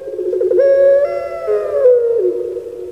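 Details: Domesticated Barbary dove known in Indonesia as puter pelung, kept at home, its song likened to human weeping: a sustained, hollow, humming coo that rises slightly, holds steady, then slides gently downward and fades.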